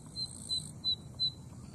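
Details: Zitting cisticola at Chofu Airfield, Japan, on 11 July 2018 around 13:00–14:00, preening and then singing once: three short, sharp, high zit notes spaced about a third of a second apart over a faint low hum.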